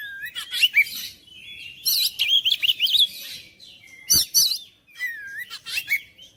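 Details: Oriental magpie-robin in full song, with warbled, looping whistles and quick trills in tight clusters. Sharp clicks and scratchy notes break up the phrases, and there are short pauses between bursts.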